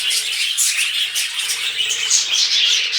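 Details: Budgies mating: loud, continuous high chirping and scratchy chatter with no break, in a small indoor space.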